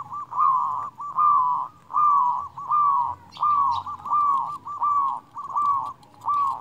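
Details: Local zebra dove song, used as a master to stimulate quiet birds. A steady series of mid-pitched, hollow coo notes repeats roughly every 0.8 seconds, with low background rumble.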